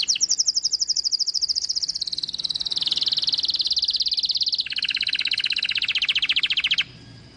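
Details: White-eye giving a long tembakan burst: a continuous, very fast buzzy trill lasting several seconds, dropping in pitch in steps before ending abruptly, leaving only low background hum.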